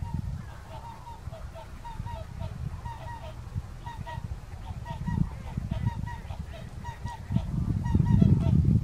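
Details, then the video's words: Dancing whooper swans recorded at Kuligów on 16 February 2018; a chorus of bugle-like honks in rapid, uneven runs, the wind rumble swelling louder toward the end. "Łabędź krzykliwy (Cygnus cygnus)"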